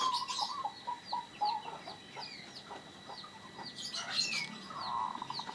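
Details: Local zebra dove with a rare, unusual voice: brief low coos repeat at the start, overlaid by busy high chirping and sharp whistles from other birds.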